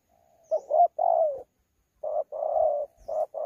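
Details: Wild-caught spotted dove with the 'thổ pha' cooing style, recorded at Sa Thầy on 26 November 2019, cooing in contest. Low mellow coos come as short notes followed by longer drawn-out ones, with a soft faint tone at the start.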